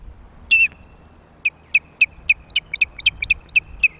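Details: Osprey at a loch nest on a May morning, sounding alarm guard calls while defending the nest against intruding ospreys: one longer whistled note, then a run of sharp, high, piping chirps repeated several times a second in a quiet setting.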